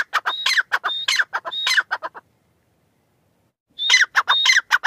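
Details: Teetar, the grey francolin, delivering bursts of loud chattering notes with a thin high whistle woven into each phrase, a pause of about one and a half seconds of silence, then the rhythmic sequence resumes.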